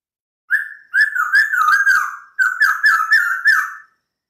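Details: Clear, mellow whistled phrases of a white-crested laughingthrush: two flowing runs of linked notes that waver gently up and down, separated by a brief gap.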